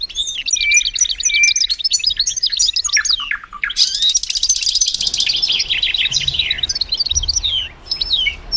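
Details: Reverse hybrid goldfinch pouring out a dense, high twittering song with a few clear whistles early on and a harsh, finely pulsed buzz near the middle.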